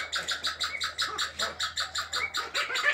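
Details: Sandgrouse kept in captivity during mate choice give a fast, even run of short clucking pulses, about four each second, with a low steady hum behind them.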